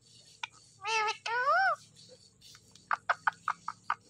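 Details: Green Indian ringneck parakeet imitating speech: two loud arching, word-like syllables, a quiet gap, then a regular sequence of short clicking notes, with a low background hum.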